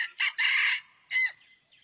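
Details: Red junglefowl crowing while a wild bird is lured toward a tethered decoy rooster: a clipped first burst, a long harsh middle note and a short falling final syllable, with faint bird calls trailing after.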